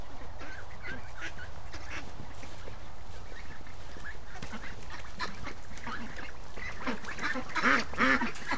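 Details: Free-range ducks up early in the morning, a busy flock giving rough, repeated quacks over steady low rumble, the calls growing louder and denser near the end.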